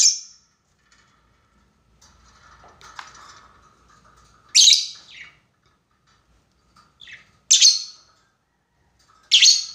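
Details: Lovebird calling its rival, played as a lure to draw out long chattering. Shrill, piercing, buzzy screeches come in short bursts several seconds apart, with softer chirps and a faint steady tone between.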